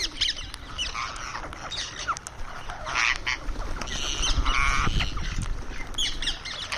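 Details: A pet Indian rose-ringed (ringneck) parakeet on a terrace gives harsh, squawky calls and short chattering notes in irregular bursts while eating, over a steady low background rumble.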